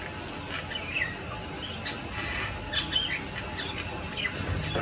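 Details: Grey heron chicks give harsh, scratchy squawks and chatters in short irregular bursts, several a second at times, over a low rumble of background noise.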